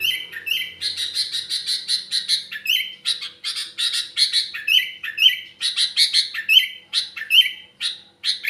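A sooty-headed bulbul sings a fast, bubbly run of bright chirps and short whistled notes, taught the phrases of another bulbul, repeating in quick bursts with no pause.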